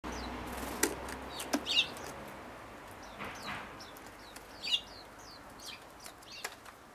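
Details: Brown-eared bulbul holding its garden as territory and diving at visiting birds, 14 February 2013, giving short, sharp, high downslurred calls at irregular intervals, with wing flutters and soft thumps between them.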